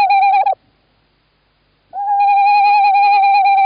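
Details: Male tawny owl in Estonia on 11 March 2017, calling while his mate sits in the nestbox: a short hollow hoot, then after a pause a long, steady, slightly quavering hoot.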